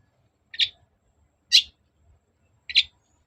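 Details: Long-tailed shrike lure sound to provoke an answer: three short, grating chirps about a second apart, sharp and high, against a quiet background with a slight low murmur.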